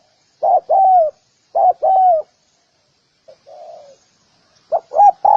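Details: Spotted dove: two paired coos, a short note then a longer falling one, followed by a faint soft murmur and the start of another coo phrase.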